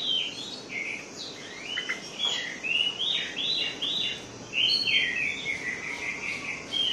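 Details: Orange-headed thrush singing, as a lure for birds that sing little: a string of down-slurred whistles repeated in quick succession, then more sustained warbling, against steady background noise.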